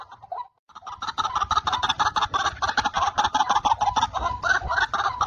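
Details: White-breasted waterhens where many males call from all around a trapping spot: a dense, overlapping run of rapid harsh notes, over three per second, with a low rumbling background.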